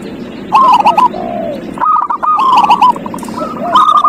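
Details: Zebra dove singing, meant to spur a quiet dove into song: overlapping runs of fast rolling coos, several doves calling together, with higher chirps from other birds and steady background hiss.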